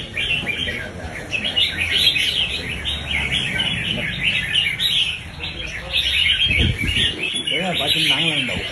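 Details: Red-whiskered bulbul singing fast in the 'đánh nết' style: dense, rapid chattering whistles and trills pour out without pause, with music and a few spoken words low in the background.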